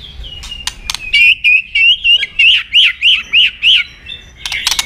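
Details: Sharp, dry clicks open this shama fighting song, used to train other birds, then about nine loud arched whistled notes in steady rhythm, roughly three per second, ending in a burst of noisy high clicks.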